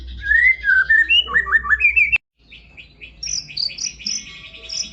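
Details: White-rumped shama (murai batu) song of varied clear whistled phrases, some rising and looping, broken by a short gap, then higher thin notes and chirps with a soft murmur beneath.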